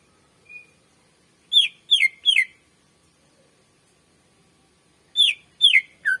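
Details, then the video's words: Greater green leafbird (cucak ijo) singing energetically, a master song used as a lure for training other birds: a faint short whistle, then two clusters of three sharp, downslurred whistled notes separated by a few seconds of silence. "SUARA BURUNG CUCAK IJO MASTER GACOR FULL SUARA PANJANG .COCOK PANCINGAN BURUNG BAHAN"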